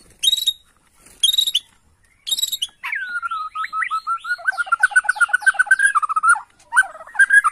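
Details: Bornean white-rumped shama singing hard in reply to a lure. Two short buzzy bursts open, then a long flowing series of rapid whistled notes with downward sweeps, ending in bright chirps.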